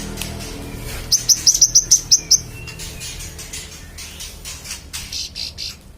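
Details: Magpie-robin singing as tutor sound for training contest songbirds: a rapid burst of eight sharp, high, evenly spaced notes in just over a second, then softer scattered notes and faint background rustling.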